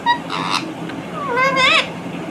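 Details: Indian ringneck parakeet kept as a talking pet: a short raspy note, then a drawn-out rising-and-falling harmonic voice imitating speech, ending in a higher buzzy syllable.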